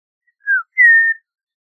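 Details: Audubon's oriole giving two pure whistles: a short falling note followed by a longer, level, slightly higher one; no background noise.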